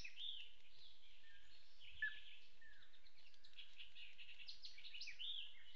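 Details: Lance-tailed manakins on Isla Boc… display perch: two males dancing for a tawny-capped female, another likely female interrupts; busy stream of overlapping high chatter with a few short falling whistles over soft forest hush.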